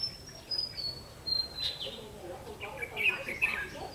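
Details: Red-whiskered bulbul during a trapping session on 31 October 2016, a thin high whistle sliding gently downward, then a cluster of sharp bright chirps near the end, with light background hiss.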